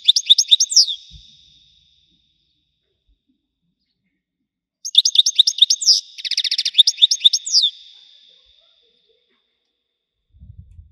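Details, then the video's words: European goldfinch singing in the widani song style: two bursts of bright, liquid twittering phrases with buzzy trilled notes, separated by about three seconds of silence; a faint low thump near the start and end. "حسون ويداني حصري صوت مزلزل"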